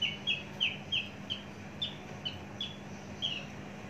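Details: A large, mature Javan bush lark kept a long time in a cage gives a steady string of short chirping notes, several per second, some with a small upward flick.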